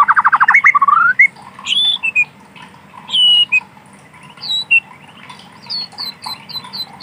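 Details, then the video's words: White-rumped shama in wild forest opening with a rapid trill, then sparse high pure whistles and thin slurred notes spaced by silences, with a low continuous hum in the background. "Suara asli alam burung Murai Batu"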